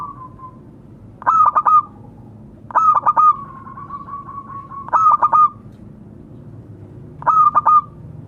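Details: A local zebra dove calls to its companions. Four bursts of rapid, staccato coos come about every two seconds. A faint, drawn-out trilling coo runs between them.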